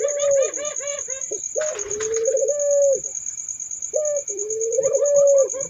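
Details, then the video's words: Turtle dove cooing a brief clipped note, then a drawn-out rolling coo, repeated twice, with a burst of brighter chirping and a constant high-pitched insect trill behind. "suara burung puter merdu syahdu"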